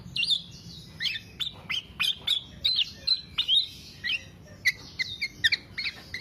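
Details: Black-naped oriole singing, meant as a lure and master recording for songbird keepers: quick sequences of squeaky, upward-flicking chirps and brief whistles, delivered in clustered bursts with short pauses.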